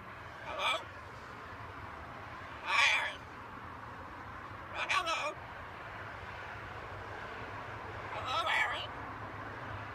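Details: Pet macaw talking while hanging out on a home balcony; four short, harsh, speech-like utterances about two seconds apart, each a rasping burst, over a steady low hum of distant traffic.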